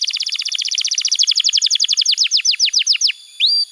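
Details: Canary song used as tutor material for young canaries and as therapy for canaries that have stopped singing: a rapid trill of repeated downward-sweeping notes that gradually slows into separate slurs, then a brief rising whistle.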